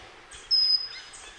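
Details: Single high, thin whistled note of a pygmy wren-babbler at Sattal, clear and steady, lasting about a quarter second, with faint high chirps from other birds around it.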